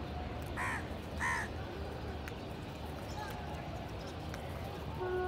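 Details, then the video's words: Indian house crows feeding together in a village, one crow giving two short harsh caws in the first second and a half over a steady background hum and faint distant chatter. "Village Crow Bird Crowing Sound Loudly | Crow Ki Awaz naturally | Indian Crows Sound | কাকের ডাক"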